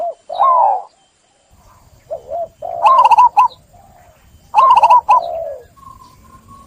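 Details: Zebra dove singing: a soft coo, then two rich trilled phrases with a rolling, quavering middle and lower tailing notes, followed by a faint steady whistle-like tone.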